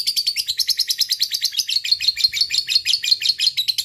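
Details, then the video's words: Fighter lovebird in long ngekek: fast, steady chattering of buzzy, high, slightly trilled notes, about six per second, unbroken throughout. "Love Bird Ngekek Panjang"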